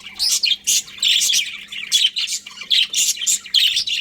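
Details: Budgerigars in a colony, a group of pet budgies chirping together: dense bursts of high, scratchy chirps and warbles tumbling over one another, with a faint steady low hum underneath.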